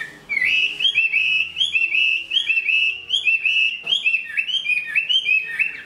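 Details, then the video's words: Chinese hwamei, a large-built bird described as a fine singer and fighter and growing a new set of plumage, delivers a continuous run of loud, clear whistled notes, rising and falling slurs rolling quickly one after another. "Họa mi bộ to hót tốt đấu tốt"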